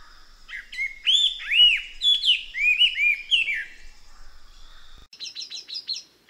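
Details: Looping, arched whistles from a Chestnut-eared laughingthrush run together in a fluid phrase. A quick series of high, sharp repeated notes follows near the end.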